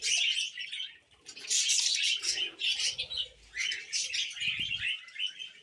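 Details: Budgies warble in busy high twitters and buzzy chirps, with loud swells, a short lull after the first second, and a low soft thud near the end.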